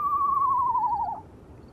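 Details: An Eastern Screech-Owl gives a single high, falling whinny just over a second long, trembling at the end. It called at night in moonlight from atop a riverside tent, inches from the man inside, for about 20 minutes.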